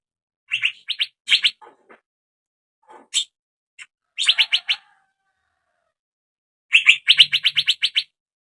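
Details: Lure sound for a young male Asian fairy-bluebird to prompt singing: clipped chirps in short clusters, then a fast run of about nine bright, evenly spaced notes near the end.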